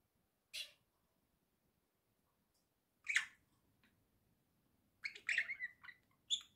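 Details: Pet budgerigars kept indoors as a small flock, recorded in October 2024: scratchy, squawking calls in short bursts, a single harsh note, another after a long pause, then a rapid cluster of mixed chirps and grating notes.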